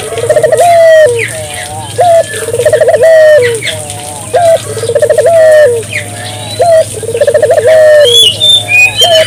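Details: Barbary dove calling vigorously, used to stimulate local doves to call: rolling, trilled coos that end in a drawn-out lower note, repeated roughly every two to three seconds, with faint chirps of other birds and a low steady hum.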